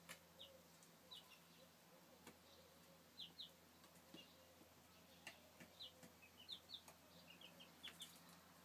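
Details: Young chickens from 2013 uttering sharp, high, falling peeps in irregular twos and threes, growing busier toward the end, with scattered clicks and a low electrical hum.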